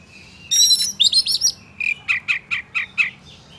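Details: Oriental magpie-robin song meant to make any other male angry and aggressive: a burst of high whistles and quick trills, then a series of short sharp chirps repeated about five times a second, over faint low background hum.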